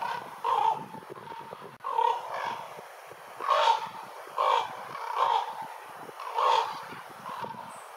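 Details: Ravens giving a series of about seven rough, grating calls at irregular intervals of roughly a second, with faint outdoor rumble and clicks between them.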